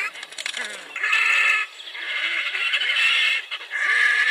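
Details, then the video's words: Red-necked Grebe giving three loud, nasal, bleating wails, the middle one drawn out for over a second, with short pauses between. "Red-necked grebe"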